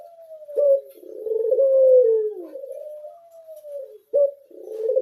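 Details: Barbary dove of the pied 'blorok' colour variety, a kept bird, giving soft low coos: a short sharp opening note, then long wavering drawn-out coos that slide downward, heard indoors with nothing else audible.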